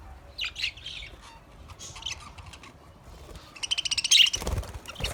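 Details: Budgerigar in a cage giving a few soft, high chirps, then a run of quick, evenly spaced chirps that builds to a loud, sharp burst near the end.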